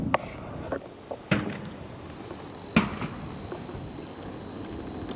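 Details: Sharp knocks and clicks over steady background hiss, like equipment being handled, with no animal calls.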